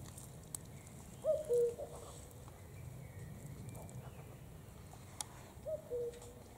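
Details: Common cuckoo singing outdoors: two clear two-note cu-coo phrases, each a higher note dropping to a lower one, about four seconds apart, over low rumbling background noise.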